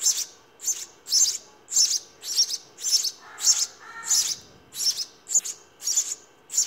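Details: Begging house sparrow nestlings during a feed, producing rhythmic shrill chirps about every half second, with a few lower, softer notes mixed in midway.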